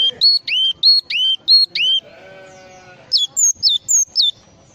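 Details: Java sparrow full isian song: six loud, rich notes with a falling harmonic tone, a brief nasal harmonic drone, then five sharp high downslurred whistles.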